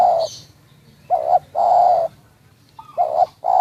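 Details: Spotted dove cooing near Kramat, Tegal: a clear, loud phrase of two short notes followed by a longer sustained coo, repeated, with faint higher twittering of other birds behind.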